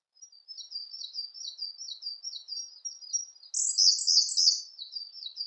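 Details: Siberian blue robin (Larvivora cyane), song.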